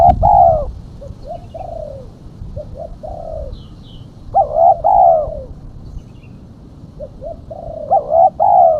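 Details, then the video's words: Lure call of a female spotted dove: a loud opening coo, soft short coos, then loud double coos near 4.5 and 8 seconds in a repeating pattern. Faint high chirps occur in the background. "Suara burung tekukur betina /pikat tekukur betina"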